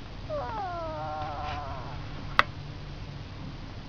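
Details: A sleeping duck snoring: one drawn-out, nasal, whining tone that slides gently downward over about a second, followed by a single sharp click; soft background hum.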